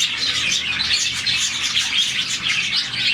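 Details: Morning chirping from a captive colony of about 40 budgies, said to chirp when happy; a constant high chatter of many birds, with a few clear whistled notes rising out of the mass.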